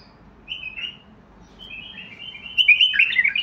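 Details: Basrawi bulbul song: a brief whistled phrase, then a longer building run of chattering, jumbled notes that grows louder toward the end.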